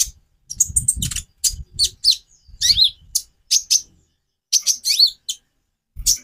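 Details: Konin sunbird giving high, scratchy twitters and sharp chips in short bursts separated by pauses, with low thumping noise in the first half.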